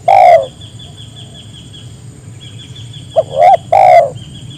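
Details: Spotted dove calling to draw other doves into calling: one long low coo, a pause, then a short note and two drawn-out husky coos, with a faint steady high hum behind.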